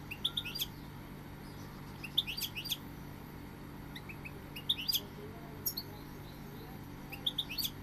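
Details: Goldfinch singing clipped, high tinkling chirps in small clusters spaced a couple of seconds apart, backed by a steady low hum.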